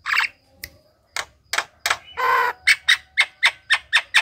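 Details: Javan myna singing to prompt other mynas, mixing harsh squawks and one long grating note with a steady run of short, sharp, nasal chirps, about four per second.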